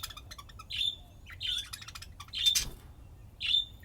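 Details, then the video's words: Budgerigars at play, chirping: four clear, bright chirps about one second apart, each a short warbled note, with faint clicks and rustling between calls. "طيور الحب لعب وزقزقة"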